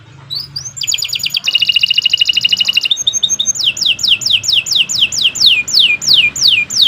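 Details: Kenari Nusantara canary in long training song: soft rising notes, a high trill, a fast rattling burst, then a steady series of about twelve loud downward-sweeping whistles.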